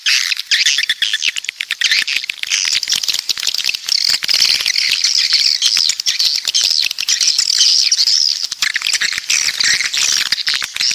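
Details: Southern walet pantai swiftlets: long stretch of shrill twittering and thin squeals with constant fast clicking underneath.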